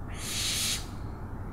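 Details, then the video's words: Single drawn-out, raspy hissing screech from an owl, loud and breathy for most of a second, then fading into quiet low background noise. "OWLS SOUNDS"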